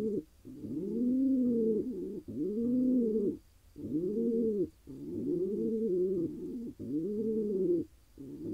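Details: Deep repeated cooing from a wild male pigeon in Israel that has just won a mate; swelling, bowed coos of about a second each, roughly forty per minute, with short silent gaps between.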